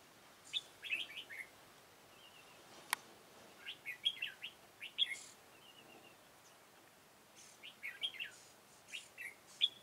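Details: Red-whiskered bulbul at a decoy trapping site, 13 October 2018: several short, lively whistled phrases with sharp chirps, separated by gaps, and a single loud click partway through.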